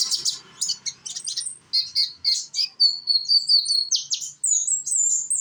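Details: Young sunbird, locally called konin, singing in Indonesia as a lure to set other konin singing; a fast run of high, thin chirps and squeaky notes, ending in sliding whistled strands.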